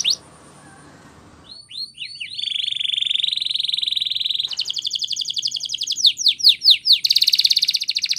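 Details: Canary performing Spanish Timbrado training song: a brief high burst, pause, then curved upslurred notes leading into a sustained bright trill, a fast pulsed roll, and repeated loud downsweeping notes ending in another rapid trill.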